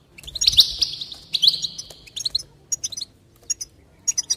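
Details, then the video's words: A goldfinch in song, intended to encourage singing: a loud buzzy twittering run at the start, followed by evenly spaced clipped chips and short twitters. "increase the enthusiasm of the goldfinch and encourage it to song"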